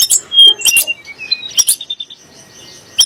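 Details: Sunda blue robin song, used against magpie-robins and shamas: a clear high whistle, scattered sharp chips, then a quieter series of soft evenly repeated notes.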